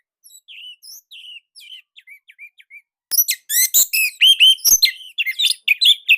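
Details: Indonesian orange-headed thrush song, described as unique, tight and loud. Several soft downslurred whistles come first, then a dense burst of loud, varied warbled phrases and sharp notes with brief pauses.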